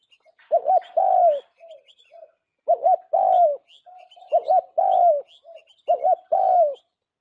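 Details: Spotted dove decoy call for trapping, Vietnam: a low cooing phrase repeated about every 1.7 seconds, each a bouncy two-part coo then a long, sagging coo. Soft short coos fill the gaps and high bird chirps sound faintly.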